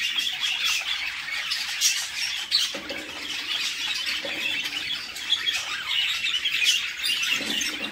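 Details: Budgerigar chicks in a nest box where the mother feeds them, giving loud, grating, repeated squawks in tight overlapping bursts, with soft low knocks and rustles from movement in the box.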